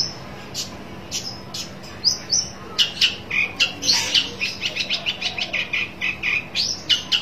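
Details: Long-tailed shrike seeking a rival: a few spaced high squeaks, then a fast, accelerating chatter of rough notes, around three to four per second, continuing to the end.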